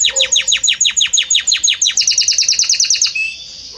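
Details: Belgian canary singing a steady series of sharp downward-sweeping notes, about six per second, that quicken into a faster bright trill and end in a soft fading whistle.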